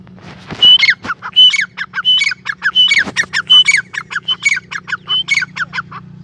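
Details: Grey francolin, the Sindhi or Irani teetar, calling loudly: a high whistled note followed by harsh rapid squawks, phrase repeated about every three-quarters of a second, with a couple of knocks and a low hum.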